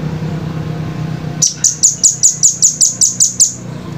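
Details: Velvet-fronted nuthatch in a clear tutor recording: after a low hum, a rapid run of about ten sharp, very high chipping notes, evenly spaced at roughly five per second, ending abruptly.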